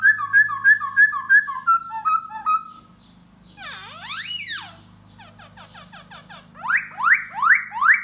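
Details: A laughingthrush sings and displays to a female, giving loud, varied whistles: a quick run of repeated clear notes, then swooping slides, rapid chatter and rising slurs, over a faint low hum.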